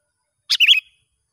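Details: Sooty-headed bulbul in the wild, heard during a test of a young lure bird: a single quick phrase of a harsh opening note and then a bubbly, wavering whistle.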